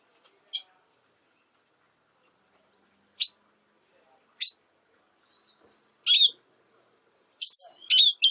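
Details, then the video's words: Black siskin singing in scattered high chirps, isolated at first, then building to dense, loud twittered phrases near the end, with quiet gaps between notes. "Negrillo Boliviano! Llamado! Sonido! Cantando! - Black Siskin Song - Spinus Atratus"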